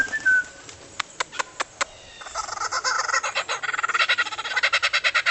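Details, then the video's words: Albert's lyrebird gives a brief whistle, then sharp dry clicks and a fast burst of mechanical clacks that sound like a camera shutter on motor drive. "Listen to what funny sounds this bird makes"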